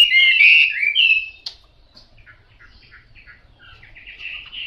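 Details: Chinese hwamei, yellow bill and yellow legs, gives a short burst of loud slurred whistles, then the song drops to soft, scattered notes before a faint rising phrase at the end.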